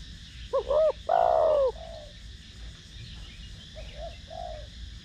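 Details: Cooing spotted dove, 'thổ đồng' voice style, played to stimulate other doves: short double hoot, then a loud drawn-out falling coo with a soft tail, followed by two gentle quiet coos.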